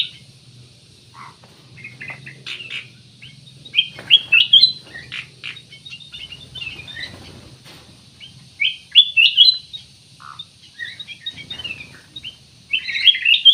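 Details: Ruby-throated bulbul singing actively, used as a lure to prompt other birds to sing: scattered short chirps and bright whistled slurs, some rising, in loose bursts with pauses, a faint low hum underneath.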